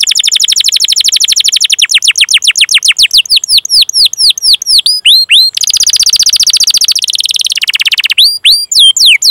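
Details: Long-running canary song for training and prompting canaries: a rapid rolling trill of downslurred notes slows into looping chirps, then switches to buzzy fast trills at different pitches before upswept whistles return.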